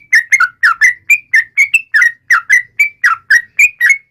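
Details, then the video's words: Clean, close recording of a yellow-vented bulbul's taunting song, crisp whistled notes that swoop downward, alternating higher and lower, given rapidly about four per second with no background noise. "trucukan gacor MENGEJEK LAWAN"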